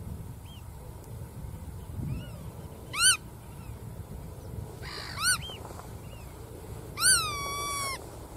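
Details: A black-tailed godwit calls with rising nasal notes. A final long call levels out into a sustained tone, with softer distant calls earlier and a low background drone.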